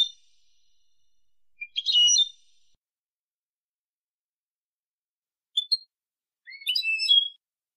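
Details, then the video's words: Edited tutor recording of European goldfinch in copia malaga style, meant for teaching fledglings: two bursts of bright, jangling twittered notes with a rising slur at the start, separated by several seconds of silence. "تغريد حسون كوبيا مالقا لتلقين الفراخ ©chant copia malaga chardonneret"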